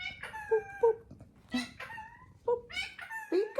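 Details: Male galah kept as a pet, cuddling with its owner, gives a string of short, hoarse, squawky notes and squeaky syllables with gaps, while people talk nearby.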